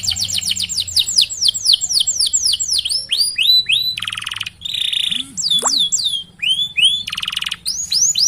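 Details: Singing canary, used as a tutor recording to get other canaries singing: rapid falling whistled notes repeated in series, broken by buzzy harsh bursts and a few slurred whistles.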